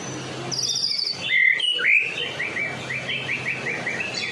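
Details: Vigorously singing white-rumped shama of Medan stock, a lure for other shamas: a high buzzy note, two strong upslurred whistles, then a fast series of short, even chips repeated in a rolling run.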